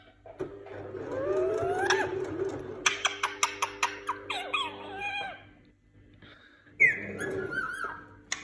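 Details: Free-roaming pet Indian ringneck parakeets in a home: a rising whistle over a steady hum, a burst of clipped repeated notes, then a loud descending screech, indoors.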